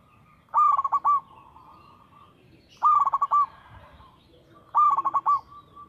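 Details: Local perkutut, a zebra dove, singing lively and regularly: three low, pulsed cooing phrases about two seconds apart. Each is a rising start followed by rapid rolling beats and a short held tail, with faint background hum.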